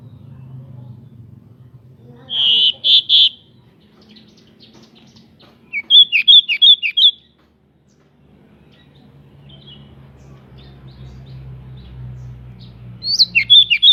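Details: Local pied bushchat singing with spread wings, a lure meant to rouse other bushchats into quick, emotional song; three separate bursts of rapid, high trilled and whistled notes, divided by quiet gaps with faint low background noise.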